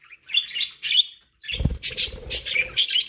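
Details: Budgies kept as pets eat corn and warble in soft twittering notes. Loud crunching and scraping from feeding continues beneath the chirps in the second half.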